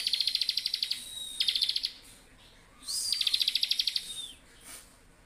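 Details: Bar-winged prinia singing bursting 'ngebren' song. Rapid, clicky, pulsed trills run over a thin, steady, high whistle. Three bursts are separated by short pauses, with a faint soft note near the end.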